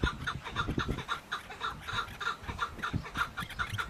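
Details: Chukar partridge calling in a steady run of repeated clucking notes, several per second, with low rumbling noise underneath.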